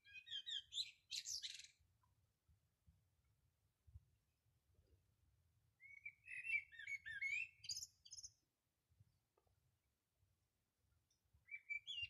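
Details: A small bird singing on a rooftop on 13 March 2020 gives bright, twittering phrases of high chirps and trills in three bursts, with quiet pauses and a faint low rumble between.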